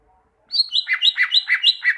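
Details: Greater green leafbird song for training caged leafbirds to sing: a steady run of rapid whistled notes swinging between a high and a lower pitch, roughly nine even pulses, clean background.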